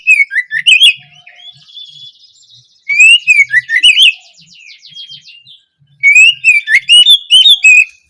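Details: Oriental magpie-robin song as learning material for juveniles: three bursts of rapid whistled, warbling notes with sharp chips, separated by quieter buzzy trills, each burst about two seconds long.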